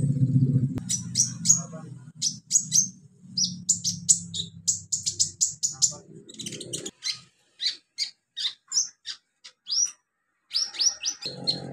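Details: Olive-backed sunbird in the wild in its natural habitat, singing a long sequence of rapid, very high sharp chirps and short buzzy phrases, with low background noise at the start and end.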